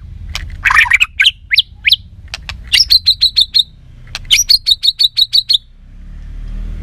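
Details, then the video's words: White-rumped shama singing in a contest to train its voice: a few sharp upslurred notes, then two rapid series of about seven clipped high whistles each, with quiet low background hum. "Tiếng choè lửa hót đấu luyện giọng căng lửa"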